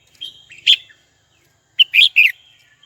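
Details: Calling a rival, a red-whiskered bulbul gives a soft note and one loud chirp, then after a short gap a tight cluster of three bright, warbling whistles, with faint distant twittering behind.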